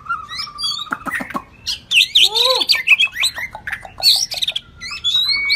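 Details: White-rumped shama of the shrimp-tail (đuôi tôm) variety singing in the rít thuốc lào style: rich varied whistles, a long steady note, then a rapid run of sharp rising and falling slurs and buzzy notes.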